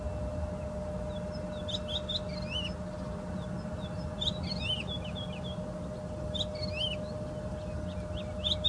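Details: Woodlark singing clear, slurred, warbled notes in clustered phrases, with a dense mid-clip burst, set against continuous low background noise and a steady tone.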